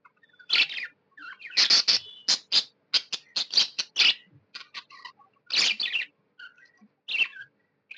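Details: Pet budgerigar chirping happily, a lively run of sharp, high, scratchy chirps and clicks delivered in quick uneven bursts, with brief squeaky notes between them.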